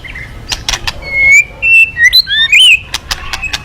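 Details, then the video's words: White-rumped shama song used to encourage other birds to sing: sweet sliding whistles and short twisting phrases amid a few sharp clicks. "Pancingan Burung murai Crpat gacor"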